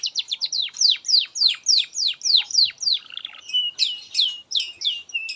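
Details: Master song of a canary for tutoring young birds: fast series of bright descending whistles repeated about three times a second, then a short buzzy rattle and looping whistled notes.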